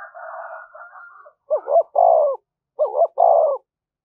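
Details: Spotted dove giving a full "thúc gù" cooing sequence, used as a lure to stir up decoy birds: a long rough, hoarse opening note, then two paired phrases of deep, wavering coos separated by short pauses.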